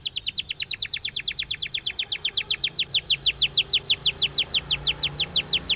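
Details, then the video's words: Training song of a Spanish timbrado canary: a steady chain of clear falling whistles, about two per second, repeated evenly with little background sound. "SPANISH TIMBRADO SONG FOR TRAINING - canary training song"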